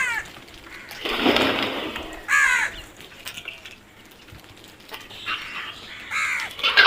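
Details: Crow caws, harsh and slurred, mixed with a burst of broadband noise near the start and further caws toward the end.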